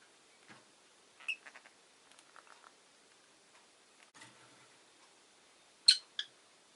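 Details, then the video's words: Rosy-faced lovebird at home uttering faint scratchy notes and soft chirps, ending with a pair of loud, shrill chirps close together. "Lovebird Chirping Sounds"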